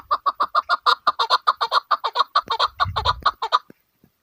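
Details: A chukar partridge, possibly a female, gives a fast run of about twenty clucking chuk notes, roughly six a second, with a brief low thump partway through.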